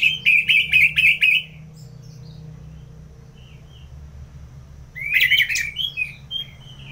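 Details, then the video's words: Caged Orange-headed thrush from North Bali in ngeplong song. A fast series of five or six fluttering whistled notes, a pause, then a loud rising burst that fades into softer twitters. "ANIS MERAH Ngeplong"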